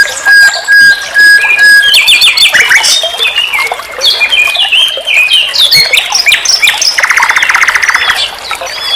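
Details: Common nightingale (sikatan londo) song used as a tutor recording for cage songbirds. A long flat whistle opens, followed by dense chattering notes and fast chirps, ending in a rapid low rattle.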